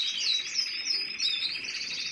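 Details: Short burst of canary song: a rapid, rolling trill with quick looping notes, sustained without a break.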